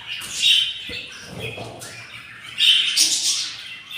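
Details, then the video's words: Hungry budgerigar chicks from a yellow pair's nest, four eggs hatched, day 7: two loud bursts of harsh high squawking cheeps separated by a quieter stretch with soft rustling. "yellow budgies take caire of their nest and hatching 4 eggs and they are very hungry"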